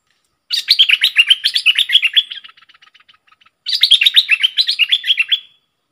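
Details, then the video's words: Bulbul kept as a decoy bird, 22 August 2021. It gives two bursts of rapid, bubbly chattering notes. The first lasts about two seconds and trails into faint ticks, then a second burst follows after a short pause. Background quiet. "เสียงนกดอกแตงEp.73 นกต่อสายโหด"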